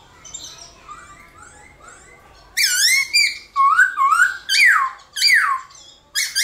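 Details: Morning fighting song of a black-throated laughingthrush, played to push other birds into song: faint, soft whistles at first, then loud, ringing slurred phrases rising and dropping, repeated about every second.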